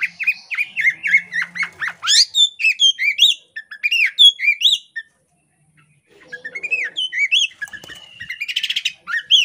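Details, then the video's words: In breeding condition, a female Oriental magpie-robin of the poci type gives ngobra calls, tail fanned: bursts of fast, varied whistles and sweeping chirps, a brief pause, then more whistling with a short scratchy rattle near the end. "kacer poci betina birahi ngobra buka ekor AMPUH bikin jantan langsung ikut ngobraaa"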